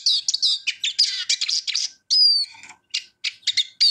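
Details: Eurasian siskin song of quick scratchy twitters, then a clear drawn-out descending whistle and scattered short chirps separated by pauses.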